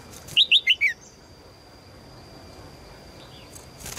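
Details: Female red-whiskered bulbul calling to draw in a strong male: a brisk run of four bright, downward-sliding chirps in under a second, then quiet apart from a thin steady high tone and soft far chirps.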